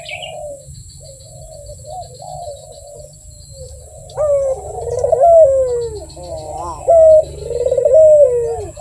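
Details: Sweet-voiced Barbary dove: soft, low wavering coos at first, then louder rolling phrases. Each louder phrase starts with a clear held note and slides downward. A hum sounds beneath.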